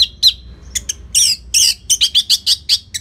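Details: Anis merah (orange-headed thrush) singing steadily to draw other songbirds into song. A dense run of loud, high chirps and buzzy whistled notes is repeated every fraction of a second.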